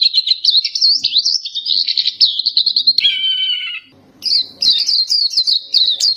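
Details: Sustained high twittering song of a black-capped white-eye, interrupted by a clearer, lower, level whistled tone, then a short pause before the rapid chirping resumes.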